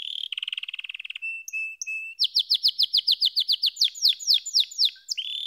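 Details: Singing canary delivers a fast rolling trill, a few short level whistles, then a rhythmic chain of sharp down-slurred notes about four per second before returning to a trill.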